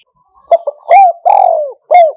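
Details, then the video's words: Spotted dove decoy call in the one-note style used to lure birds. A clean run of low hollow coos: two short notes, then longer resonant coos with a drawn-out falling middle note, with no background noise. "เสียงนกเขาใหญ่ 1กุก เรียกคำคูคำ คูก้อม เสียงเปิดต่อนก"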